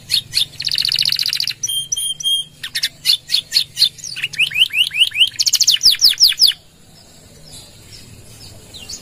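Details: Canary in full gacor song with long 'nembak' bursts and 'gereja' fill, used as a lure and master recording for training other birds; rapid trills, buzzy rattles and repeated descending sweeps for about six seconds, then quiet.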